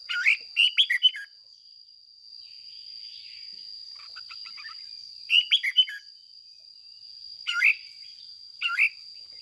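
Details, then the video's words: Red-whiskered bulbul kept as a decoy bird, singing in the ché style: clusters of quick liquid chirped notes in bursts every few seconds, over a constant high-pitched tonal hum. "Luyện chào mào mồi hót ché căng"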